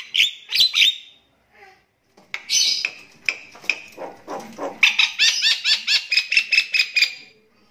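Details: Javan myna of the crystal-eye type, a loud singer with a strong, shouting tribal-style voice; harsh squawky notes, then a run of rapid clipped chattering notes repeated about twice a second toward the end.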